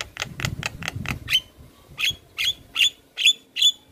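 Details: Javan myna in lively, full song meant to set other mynas singing: five rasping bursts in fast succession, then six sharp notes with bright whistled tips spaced about half a second apart.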